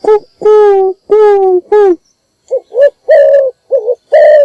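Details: Morning call of a spotted dove used as a decoy to draw in wild doves. It opens with several long, steady, hoarse hooting notes, then shifts to shorter wavering coos and a drawn-out rolling final coo.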